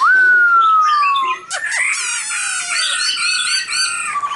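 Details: Silver-eared laughingthrush singing a drawn-out whistle that slides gently downward, followed by a dense, rich jumble of chattering, twittering notes with a thinner, descending whistle threaded through it.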